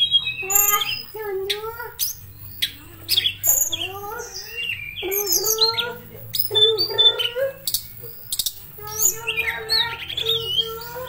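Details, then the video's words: Sulingan, also called Tledekan, a talented mimic, pours out a long run of varied whistled phrases. Clear rising notes and fluty slurs follow each other with short pauses over a faint low hum. "Burung Tledekan Gacor Suara Nyuling Muntahin Isian FULL"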